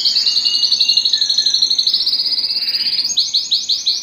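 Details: Canary of the Belgian type singing to stimulate breeding: a fast rattling trill of high notes running several seconds, then slower, spaced syllables at the close.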